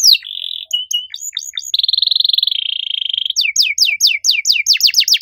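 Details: Loudly singing canary with unique phrasing: a short buzzy note and scattered chips lead to a long, smooth, even rolling trill, then accelerating series of sharp downslurred whistles.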